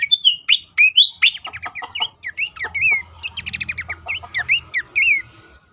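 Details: Horsfield's babbler, played to get caged birds singing: loud rising whistles, then long rapid sequences of repeated slurred notes and looping whistles that fade out at the close.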